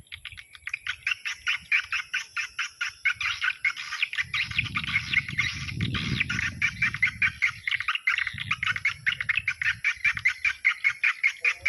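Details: Swiftlet calls used at dusk, rapid rhythmic clicking chirps about two and a half per second, continuous throughout, with a steady high tone and a low rumbling passage in the middle.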